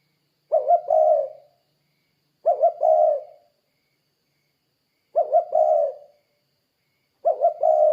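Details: Lively spotted dove, played to lure other doves into calling, gives four soft, hollow coo phrases at uneven gaps of about two seconds. Each phrase is two short coos, then one longer, sliding coo. No other sounds.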